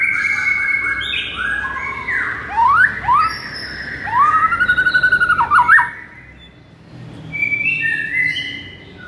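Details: White-rumped shama song for training a lethargic shama to sing hard: layered whistles at several pitches, then three sweeping upward-curving notes, a brief pause, and softer high whistled phrases.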